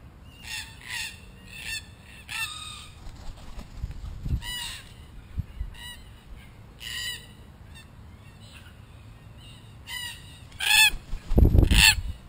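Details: A wild group of red-tailed black cockatoos in Australia, exploring and destroying a hidden camera, gives a string of loud harsh grating calls at an uneven pace. Heavy thumps and knocks at the end suggest handling of the camera.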